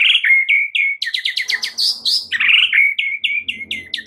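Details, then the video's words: White-rumped shama pouring out its full repertoire of fills to spur a silent shama: fast, continuous stream of bright whistled notes and quick upward flicks, with soft low background noise. "Murai Batu FULL BONGKAR ISIAN , sangat EFEKTIF untuk PANCING Murai Batu anda yang MACET"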